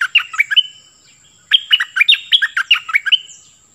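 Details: A caged decoy Cream-vented bulbul in full song gives two bursts of rapid chattering, warbled notes separated by a one-second pause, over a constant faint high-pitched whine.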